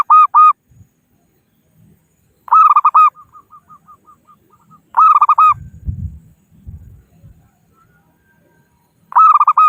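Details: Zebra dove of local stock calling rivals, used to lure birds into traps: four loud bursts of quick stuttering coos a few seconds apart, one trailing into soft rapid ticking notes, with low rumbling handling noise between.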